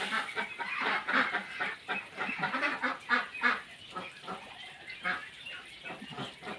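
A flock of ducks quacks in a dense, overlapping chorus of harsh, nasal calls, several each second, with faint human voices in the background.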